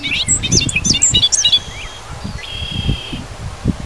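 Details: Bobolink in Wisconsin fields and grassland, a burst of bubbling, gurgling high notes for about a second and a half, then a couple of thin drawn-out tones, over rustling and low thumping noise.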